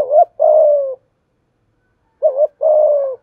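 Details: Lure spotted dove with thổ-style voice, used to provoke other doves: two clear phrases, each a brief undulating double note leading into a prolonged, slightly falling coo, separated by a silent pause.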